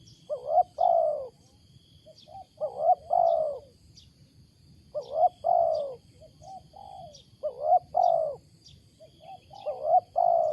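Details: Wild spotted dove cooing loudly and oddly, four similar phrases of a short lead-in note followed by a drawn-out hollow coo, spaced roughly two and a half seconds apart, with thin distant chirping from other birds.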